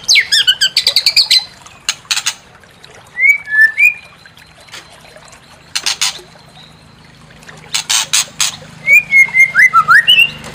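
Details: White-rumped shama song meant to provoke another bird to sing its full repertoire. It opens with a rapid whistled flourish, then gives scattered harsh clicks and chacks, short clear whistles, and a closing run of varied whistled notes.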